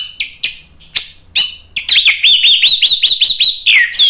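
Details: Vigorous 'ngeplong gacor' song of an orange-headed thrush (anis merah): a few separate sharp chirps, then a rapid series of about ten rising, looping whistles repeated several times a second, ending in a falling slur.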